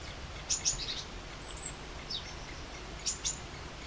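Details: Great spotted woodpecker calls: a pair of sharp, clipped high notes near the start and another close pair about two and a half seconds later, with faint thin chirps between them and steady low background noise.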